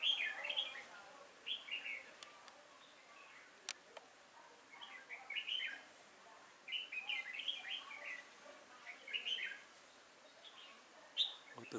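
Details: Red-whiskered bulbul used as a decoy, filmed 5 October 2018 while trapping wild bulbuls: bursts of bright warbled, chirpy phrases roughly every one to two seconds, separated by short gaps, with a single sharp click midway.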